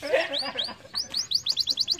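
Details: Canary singing, played to encourage lazy canaries: a few scratchy notes, then a quick run of about ten bright repeated chirps.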